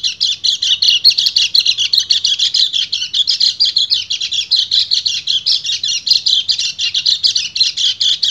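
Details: A breeding male white-eye, called kecial kuning, calls to the female with an ngecir song. It is a dense, continuous, high-pitched chatter of fast, pulsing notes with no pause for the whole stretch.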